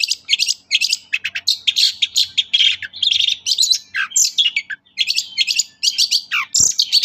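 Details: Long-tailed shrike in loud, excited song, played to prompt shrikes to sing: dense, rapid chirps, trills and harsh buzzy phrases running almost continuously, with one brief low thump.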